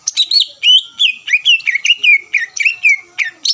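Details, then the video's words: Greater green leafbird delivering a provoking song to draw rival birds to answer, with loud descending whistled slurs and upward flicks repeated about three times a second. "PANCINGAN CUCAK IJO GACOR MEMANCING EMOSI LAWAN LANGSUNG NYAUT"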